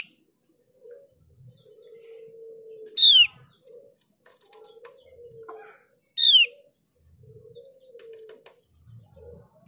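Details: Mees's white-eye lure recording, played to draw other white-eyes into song: two loud descending whistles about three seconds apart over a steady low hum and faint scattered chirps.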